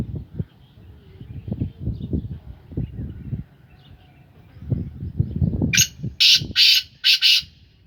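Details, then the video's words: Captive black francolin of the Sindhi Gangas strain, in its third calling season, gives a harsh grating phrase of five loud broadband bursts near the end, after several seconds of low rumbling background noise. "Kala teetar ki awaz / black francolin voice کالا تیتر کی آواز"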